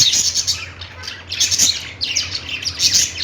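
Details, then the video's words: Budgerigar chatter: loud rapid scratchy chirps and squeaky warbles in several bursts, spaced roughly a second apart, with a faint low hum. "Budgies singing |budgies sounds | parakeet chirping sounds"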